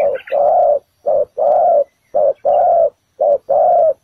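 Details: Spotted dove cooing as bait at a ground trap meant to lure wild doves. Three clear phrases, each a short coo followed by a longer, rough, level coo, spaced about a second apart.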